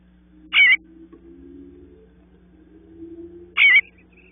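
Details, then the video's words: Bluebird nestlings waiting for the parents; a pair of brief rasping, wavering calls three seconds apart, with a soft low drone running through the quiet gap. "Bluebird babies waiting for their parents to call them out"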